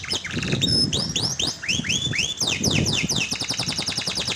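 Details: Canary song meant to coax a quiet canary into singing: a series of loud rising whistled sweeps repeated about every quarter second, running into dense fast trills, over a low background rumble.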